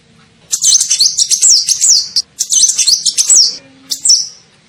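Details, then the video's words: High, rapid twittering of a kolibri ninja sunbird for luring birds, in two dense runs of sharp, zigzag chirps and then a short final chirp, with a faint low tone partway through. "SUARA PIKAT KOLIBRI NINJA"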